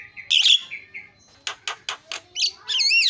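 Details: Javan myna calling to provoke other mynas into calling: a harsh burst, short whistles, four rasping notes, then rising and falling wavy whistles.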